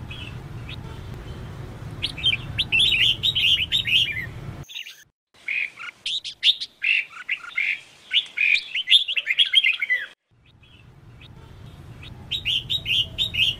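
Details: Caged female red-whiskered bulbul calling to excite males: long runs of lively chirping, warbled notes, interrupted by silent gaps, over low background hum.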